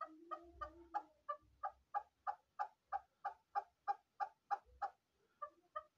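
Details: Shekari chukar partridge calling: a steady run of about eighteen sharp, clucking notes, evenly spaced at roughly three per second. A lower rasping note sounds underneath at the start, and faint low thumps come through.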